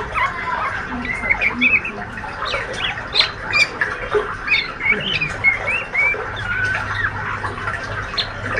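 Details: Ngriwik chatter from a healthy young male white-rumped shama still in spotted juvenile plumage: busy, squeaky twitters and short rising and falling chirps pouring out continuously in uneven bursts, over a faint low hum.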